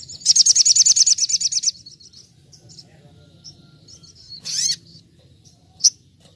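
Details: Brown-throated sunbird in nembak-nembak style, wild-like training recording: a rapid, very high rattling trill of about fifteen pulsed notes, then quieter twitters, one loud squeaky burst and a short sharp chip.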